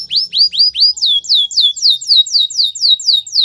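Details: A canary training song phrase of high whistled notes sliding downward, repeated steadily about four times per second with no other sounds.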